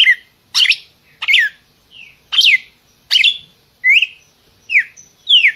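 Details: Red-cowled cardinal giving a lively mix of harsh chirps and clear slurred whistles, rising and falling, roughly one phrase every 0.7 seconds.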